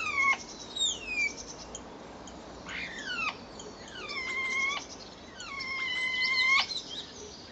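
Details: Common starlings, a pair caught on April 10th 2011 either fighting or mating, utter harsh, rich-toned drawn-out squeals and descending slurs in bursts, some notes held steady for over a second.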